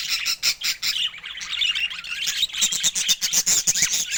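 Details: Budgerigars kept as colourful pets give continuous rapid warbling chatter, a dense stream of scratchy, squeaky high notes with clicking pulses.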